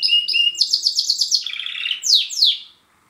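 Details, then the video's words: Song of a male pet Border canary: two clear whistled notes, then a rapid buzzy trill that drops lower in pitch, ending in two loud downward sweeps. "Border Canary Singing"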